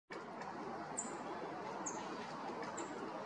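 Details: Black-crested titmouse giving its call after being given a treat: three thin, very high, slightly falling notes spaced about a second apart, over a steady broad rushing background noise.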